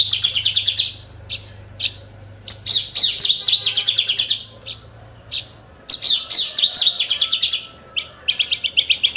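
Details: Caged Horsfield's bush lark, a species said to mimic other birds, pouring out rapid chirps and trilled phrases in repeated bursts.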